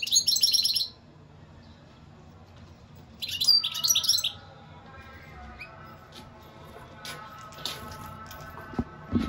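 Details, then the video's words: Two bursts of bright, rapid twittering European goldfinch song, then a stretch of faint clicks and knocks with a low hum. "اقوا واجمل تغريد حسون"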